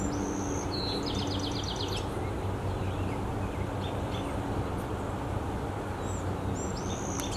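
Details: Black-headed grosbeak in a city park in Fairview, Oregon, May 2022: a quick burst of high whistled and trilled phrases in the first two seconds, later a few isolated notes, all over a heavy low rumble of traffic.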